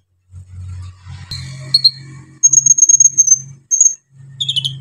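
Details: Brown-throated sunbird pouring out rough, varied phrases to excite other sunbirds: a rapid string of thin high whistled notes repeated evenly, a few sharper chips, against a steady low mechanical hum.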